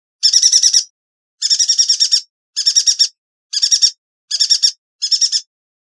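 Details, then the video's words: Yuhina song intended for training other songbirds, six fast trilled bursts of sharp, high ringing notes, each under a second long, separated by short pauses, with no other sounds around. "Burung Yuhina - Tembakannya Nyelekittt Tajamm"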